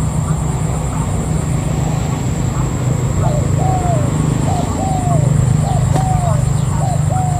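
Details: Wild-caught decoy spotted dove; after three seconds of low rumbling, soft coos begin, each a quick note followed by a drawn-out falling coo, repeated roughly once a second. Heavy low engine-like drone and a steady high whine run throughout.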